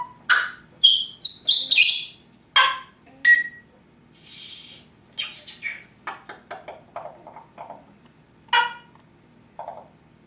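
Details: Pet parrot indoors giving a string of varied calls: sharp high chirps and squeaks, a short whistle, then softer clipped notes of uneven rhythm, with faint room noise.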